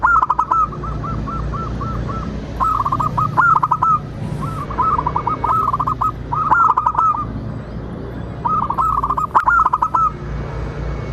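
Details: A local zebra dove (perkutut), in a recording used as a lure to prompt other zebra doves to sing, gives bursts of rapid, soft staccato cooing about a second long, repeated several times over a low steady hum.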